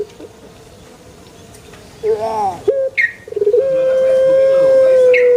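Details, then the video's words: Male Barbary dove: soft murmuring, then a wavering rolled note and a quick stuttering burst before a long, smooth, sustained coo that carries to the end. "SUARA ASLI BURUNG PUTER JANTAN"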